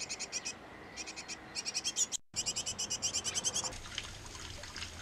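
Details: Great tit nest box occupied by a breeding pair with young; staccato high chirps come in quick clusters, fading into hissy rustling over the final second.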